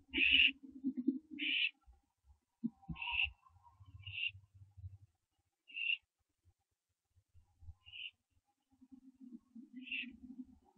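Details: Young barn owls during branching, 15 September 2011 before dawn: a series of seven short rasping hisses, fading and spaced about one to two seconds apart, with low rustling and thumping sounds.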